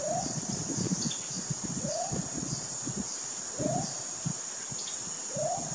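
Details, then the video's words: Baudo Guan, endemic to Colombia, giving a short, mid-pitched upslurred note repeated about every two seconds, over a steady high insect drone and low rumbling background. "Baudo Guan"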